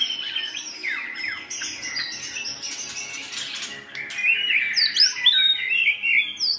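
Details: Several good-voiced white-rumped shamas sing to train another shama toward a more varied song. Dense, tumbling warbles and twitters open, followed by louder, clear, fluting whistles with quick upward flicks.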